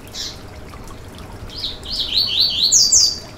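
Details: Yellow-bellied seedeater singing to stimulate a bird: one isolated high note, a pause, then a fast rising series of sharp slurred chirps that grows louder and higher. Soft background hiss throughout.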